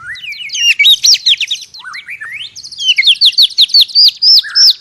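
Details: White-rumped shama in forest, singing while fighting. The song opens with rising whistled slurs, then runs into fast, bright repeated whistled notes at a steady clip of about three per second. Faint low rumble at the start.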